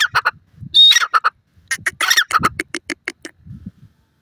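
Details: Chukar partridge, called Iranian teetar, giving its first-day calls: a quick run of harsh, squawky, clucking notes in short bursts, then a rhythmic string of chuk-like notes that fades out.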